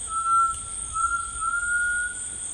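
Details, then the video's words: Grey Tinamou singing in rainforest: one long, pure, steady whistle, held for over two seconds and rising very slightly in pitch, over a constant high insect drone. "The Singing Tinamou Tao"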